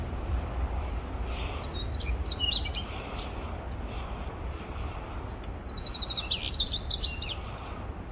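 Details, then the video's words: Male Daurian redstart singing two short bursts of high, thin twittering notes, the first near two seconds in and the second after about six seconds, with a quick whistled tail, over a steady low rumble of distant traffic. "딱새 수컷의 아름다운 지저귐 Beautiful sound of a male daurian redstart"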